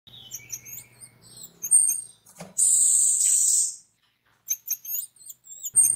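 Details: Orange-headed thrush song used as a lure to set other orange-headed thrushes singing: high, varied whistled and chirping phrases in short bursts, broken by a loud one-second hissing rush of noise midway.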